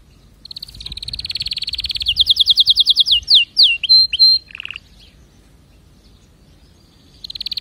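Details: Canary singing a quick trill that shifts into a run of descending slurred notes, short level whistles and a low buzzy rattle. After about two seconds of near-silence a fast trill resumes.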